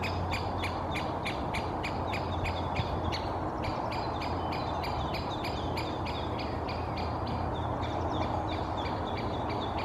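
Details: Two Great spotted woodpeckers moving in a birch canopy in Helsinki, Finland, in May 2024, one calling incessantly: sharp, high 'kik' notes, several a second in uneven runs, over a steady low rumble of wind or distant traffic.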